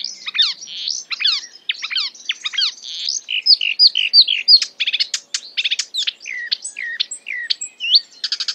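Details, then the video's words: Marsh warbler imitating other birds with fast descending trilled notes, rapid ticking runs and upslurred whistles, all tumbling into one another at a rapid, uneven pace. "A marsh warbler (Acrocephalus palustris) imitating other birds"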